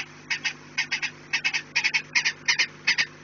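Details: Peregrine falcon calling at its nest on 4 March 2019, late afternoon at 16:28: rapid chattering bursts of harsh, grating paired notes, about two to three bursts each second, over a constant low hum.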